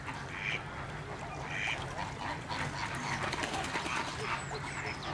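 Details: Plumed whistling duck at Slimbridge: short whistled notes near 0.5 and 1.7 seconds over a steady wash of honking and chattering waterfowl in the background.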